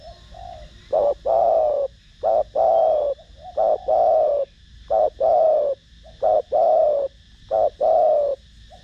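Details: Spotted dove (cu gáy) cooing in the thổ đồng voice style, used to lure and stimulate other doves: six deep, hollow phrases, each a short note then a longer falling coo, about one every 1.3 seconds over a faint steady hum.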